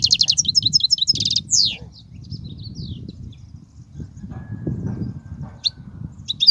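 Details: European goldfinch song meant for teaching young goldfinches: an opening burst of rapid repeated twitters and a buzzy trill, then sparse thin notes and a few chirps over low background rumble.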